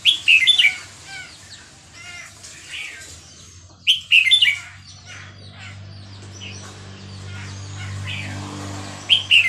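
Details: Burmese-type red-whiskered bulbul at Dan Singkhon, Thailand, sings three short, bright whistled phrases several seconds apart, with a steady low hum and faint background chirps between them.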